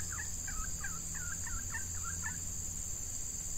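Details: Red junglefowl hen used as a lure for wild males, in hot breeding-season weather, gives about eight short, quick, two-part notes in an even series over two seconds, then falls quiet. A steady insect buzz continues throughout.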